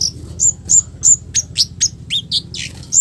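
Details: Scarlet-headed flowerpecker's coarse 'cit keres' calling, used to draw replies from other flowerpeckers; quick piercing high chips about three per second, some sliding downward.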